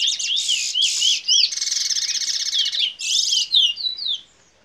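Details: A locally bred Fire Red mule (canary x red siskin) from Princes Town, Trinidad, singing the bullfinch role: a bright, varied, continuous high song of looping whistles, rapid trills and sweeping slurs.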